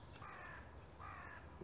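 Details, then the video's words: A carrion crow in the background of frosty urban woodland in Plymouth's Central Park in January 2022 gives two harsh, hoarse caws in quick succession, a little under a second apart, over a low background rumble. "You can hear a carrion crow in the background."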